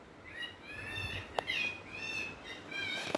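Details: A parrot talking, with continuous modulated harmonic murmuring and tonal phrases over a noisy background, broken by a couple of sharp clicks.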